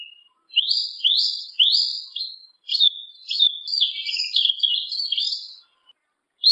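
A Yellow-legged Thrush sings three quick, high rising whistled notes, then a fast jumbled run of warbled phrases. No other sounds are heard.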